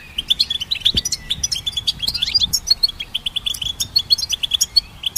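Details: High, fast twittering by a goldfinch, crisp repeated chirps mixed with brief slurred whistles, kept up without break across the stretch.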